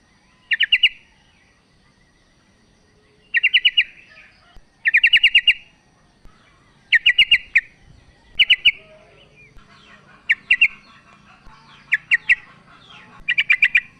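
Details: A female sooty-headed bulbul calls the male, used to provoke idle males into singing. Short rattling bursts of three to five chirps repeat irregularly, with faint chatter and low hum in the background.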